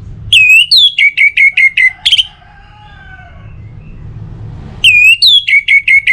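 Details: Orange-headed thrush singing loud, open ngeplong phrases meant to prompt other birds: a fast series of ringing whistled notes, a pause with faint low warbling, then another bright run of repeated whistles.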